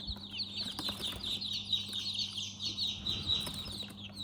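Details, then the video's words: Chicks in a chick house give a dense overlapping chorus of high peeps, mixed with rustling, scratching and a few wing flutters, over a constant low hum. "Chicks Chirping"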